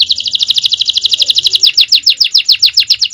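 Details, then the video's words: Canary singing a champion-style 'cengkok jawara' phrase, recorded as a long training song for other birds: a fast, steady trill of high, downslurred notes repeated several times a second throughout. "Aksi Kenari||Cengkok Jawara||Full Power Canary Action||Cengkok Champion"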